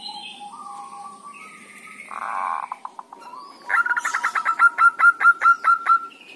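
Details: Zebra dove, local Javanese bird, giving a dhuduk-style call, a 'tut tut tut' made by a bird still learning and used as a lure to make other doves call; blurred tones, then a quick run of about a dozen short, evenly repeated notes.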